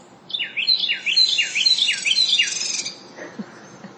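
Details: A Tufted Titmouse in a garden near a feeder on a November 2020 morning gives a quick series of about eight clear, downslurred whistles over two and a half seconds, with a thin buzzy edge above them.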